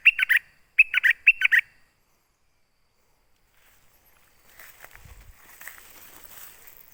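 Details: Olive-backed sunbird calling a mate: three quick bursts of sharp, bright chirps in the first two seconds, then silence and faint rustling background noise.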